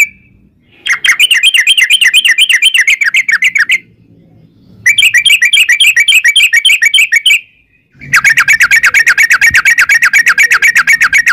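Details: {'caption': "Sooty-headed bulbul in long 'ropel' trills used as a lure for other birds to sing back: three extended bursts of very rapid, wavy buzzing notes separated by short pauses, with quiet low background hum."}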